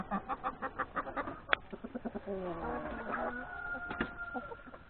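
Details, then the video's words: Hens and three roosters in a yard at breakfast, before a trip to graze in the forest, give rhythmic clucks, then a long level crow-like note from three to four seconds, with a sharp click. "Chickens, hens and three roosters breakfast in the yard"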